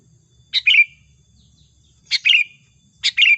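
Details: Sooty-headed bulbul lure call for trapping, described as lively and chatty: three bright, sharp two-part chirps, each a quick high note then a slurred falling one, spaced about a second and a half apart over a faint low rumble.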